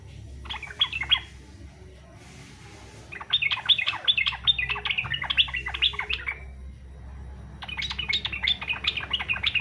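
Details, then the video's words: Yellow-vented bulbul giving fighter-style song, used as a lure so other bulbuls sing along: a short opening phrase, a pause, then a long fast chatter of sharp notes and a final energetic burst. "SUARA trucukan faghter cocok buat pancingan supaya trucuk ikut faghter"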